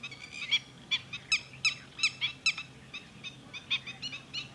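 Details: Red-wattled lapwing, known locally as Titodi, calls at Thol bird sanctuary with a steady sequence of loud, sharp notes roughly three per second, fading slightly toward the end, over a faint low hum.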